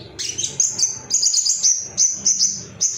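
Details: Ruby-cheeked sunbird male, roused to seek rivals, gives a quick series of high, thin tsit notes, several in three seconds, over faint low noise.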